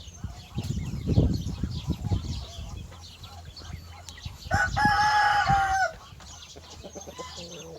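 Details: Rooster crowing in the morning: one loud, drawn-out, harmonic crow of about 1.3 seconds near the middle, steady then dropping at the end, after low thumps and rustling, with faint chirps of other birds in the background.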